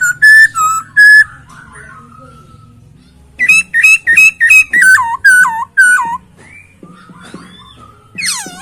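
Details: Masked laughingthrush delivering isian song with clear, luxurious voice: two steady whistles, then a repeated series of about eight loud down-slurred whistled notes, ending in a curling upswept note.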